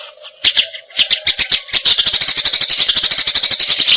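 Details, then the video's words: Eurasian tree sparrow recorded as tutor audio for training songbirds; quiet opening, then sharp high chirps spaced about a quarter second apart, building into dense rapid chattering over a steady low hum. "Suara Greja Taraung kualitas HD"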